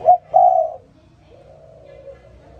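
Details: One morning call of a spotted dove: a quick short coo and then a longer, mellow croo, trailing into faint, soft cooing.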